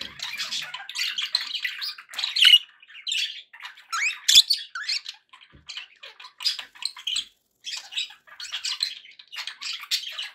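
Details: Budgerigar chatter to keep pet birds company; lengthy stretch of scattered squeaky chirps and warbles in irregular bursts, with a single sharp click midway.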